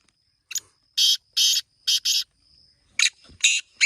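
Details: Black francolin (kala teetar) calling: harsh, grating broadband notes, a short clipped note followed by pairs of longer rasping notes, the phrase starting again after a brief pause, with a thin steady high tone behind.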